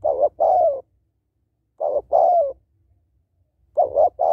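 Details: Female spotted dove calling males, repeated two-part phrases of a brief wavering coo and a longer coo sliding down in pitch, three bouts over a faint low hum.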